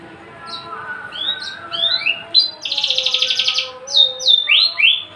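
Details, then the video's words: Caged male Javan bush lark, tame and unringed, in full song. It gives a series of short upslurred whistles and then a sustained grating buzz. Clear slurred whistled phrases follow, with a faint low hum in the background. "branjangan javanica MH nonring jinak galak siap jadi pejantan gacor dor"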